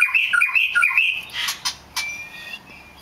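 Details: Rare black magpie robin delivering a quick run of clear whistled notes that fades into softer buzzy sounds and a thin sustained tone.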